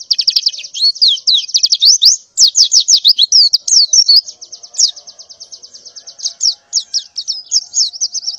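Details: A female white-eye in breeding condition calls to attract males in the morning: high varied chirps and fast downward trills at first, then a long even buzzy high trill with short twittered breaks.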